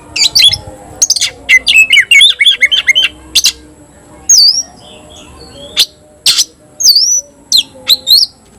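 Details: Kacer (oriental magpie-robin), a caged songbird singing 'tayoraky'-style. A fast warbling opening is followed by spaced, bright whistled notes that swoop up and down, each separated by short pauses.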